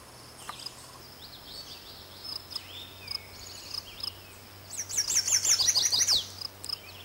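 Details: Male chestnut-sided warbler singing exuberantly from a birch tree on slopes above Quabbin Reservoir, Massachusetts, 2006: a rapid, high, sweet run of zigzagging notes lasting about a second and a half, after scattered faint chips, over a steady low hum.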